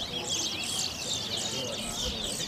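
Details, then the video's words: A towa towa seed finch at a song competition at Sarah Johanna, Guyana, pours out a fast, continuous run of high, sweet chirps and twitters while a man counts the songs aloud. "TOWA TOWA BIRD WHISTLING COMPETITION"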